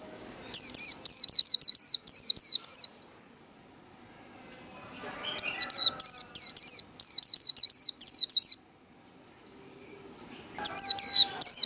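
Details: Japanese white-eye giving its líu đấu fighting song: three bursts of rapid, high, slurred falling notes, about three per second, separated by pauses, over a steady thin high-pitched whine.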